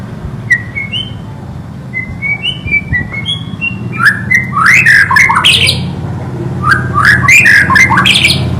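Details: White-rumped shama song opening with soft rising whistles, then bursting into rich, rapid, sweeping phrases and sharp clicks, repeated in two bouts over a constant low hum.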